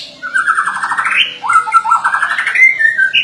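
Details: White-rumped shama (murai batu) singing in gacor style: two buzzy, rapidly trilled phrases that rise in pitch, followed by quick slurred whistles near the end.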